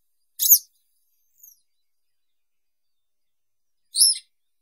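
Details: Western yellow wagtail giving a sharp, high, descending chirp, a faint thin note, then a second buzzy chirp about three and a half seconds later, in a quiet setting.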